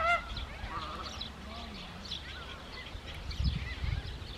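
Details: Wild greater flamingos in the Camargue in the evening: one loud, nasal, goose-like honk, then a steady background of softer gabbling calls from the flock, with low wind rumble near the end.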